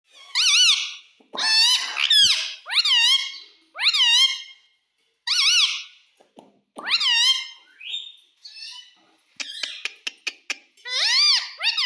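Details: Pet parrot indoors in a small room, said to mimic "mummy" and "papa": a run of short, harmonic, wavering squawk-like syllables with gaps, several clicks near the end, then a final bright wavering phrase.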